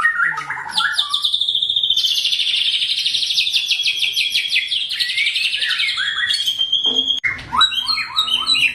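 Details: Fighter white-rumped shama with dense, sharp song used to provoke other shamas: opening whistles, then a sustained rapid rattling trill lasting about five seconds and slowly falling, ending with varied choppy whistled phrases.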